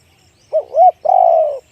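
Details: One phrase from a spotted dove in the one-kuk big-voice style: two short bouncing hoots lead into a long, rich, slightly falling coo lasting about half a second, against near silence.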